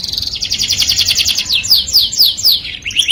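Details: Canary song meant to attract the opposite sex: a rapid rattling trill followed by sweeping downslurred whistles and a final rising note.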